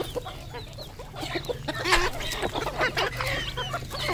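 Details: Red junglefowl kept as a domestic decoy bird, giving rapid, uneven clucks and short harsh notes, mixed with high chirps from other birds over a continuous low droning background.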